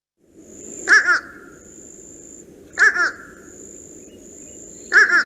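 Fish Crow giving three nasal, doubled 'uh-uh' calls about two seconds apart, over a steady high whine and soft background hiss.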